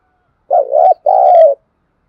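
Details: Spotted dove used as a decoy to lure wild doves. Two low, mellow cooing notes, the second longer and gently falling, with no other sounds.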